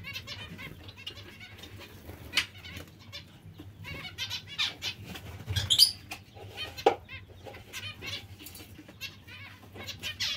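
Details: Several zebra finches trade rapid, clipped nasal calls, sometimes overlapping, with one louder burst near the middle over a steady low hum.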